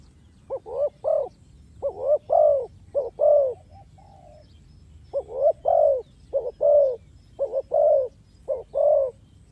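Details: Spotted dove lure call used for trapping; a long run of phrases, each with two or three quick coos ending in a drawn-out mellow coo, with one short pause midway.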